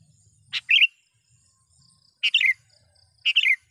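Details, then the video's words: Calling sooty-headed bulbul used as a lure for wild birds: three bright phrases, each a sharp click leading into a quick descending bubbly warble, about a second apart. "suara BURUNG KUTILANG gacor memanggil lawan"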